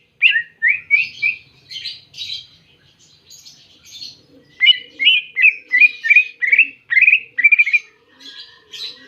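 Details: Greater green leafbird seeking a rival, singing a fast series of short rising whistles mixed with harsh buzzy chatter, about three notes a second, loud and close.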